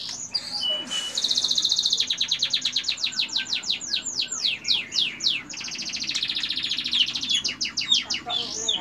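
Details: White-rumped shama's long 'tembakan' of cililin material: a sustained, very high, rapidly pulsing trill that breaks into a cascade of steeply sweeping whistled notes, then resumes trilling, loud throughout.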